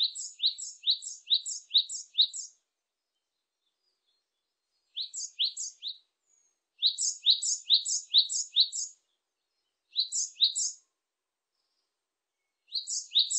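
Great tit song: bright, high two-note phrases repeated rapidly in bursts of five or six, with short pauses between bursts, against a quiet background.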